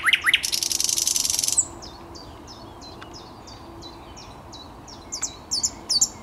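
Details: Thrush nightingale, 10 May 2021, delivering a loud, harsh, buzzing rattle for about a second and a half, then a quieter series of short high down-slurred notes.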